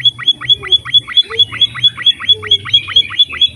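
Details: Energetic emprit, or pipit finch, song used as a training recording: quick metallic downward chirps with a piercing whistled top note, steadily repeated a little over twice per second, a faint low hum beneath.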